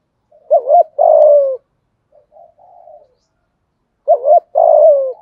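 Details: Spotted dove used as a decoy, local-style voice, cooing to bring a wild bird to the lure: two phrases about four seconds apart, each a quick double hoot and a longer mellow falling coo, with soft murmurs between.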